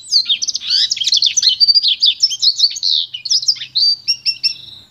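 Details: A pintagol (goldfinch × canary hybrid) delivering pure song for training: a dense run of high twittered and slurred notes that thins into a few clipped chirps and a final drawn-out whistle.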